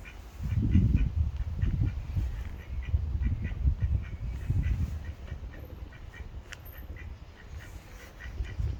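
A mallard gives low, nasal quacks in short, uneven bursts several times a second. A faint background hiss runs throughout.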